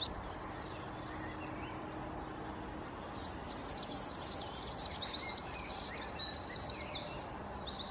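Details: European serin (Serinus serinus): after about three seconds of quiet background, a dense, very high, rapid jingling twitter of thin buzzy notes starts and runs almost to the end.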